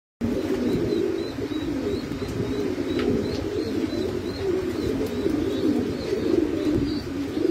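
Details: Pouter pigeon cooing: a low, throaty rolling murmur that runs on almost without pause, with faint high chirps behind it.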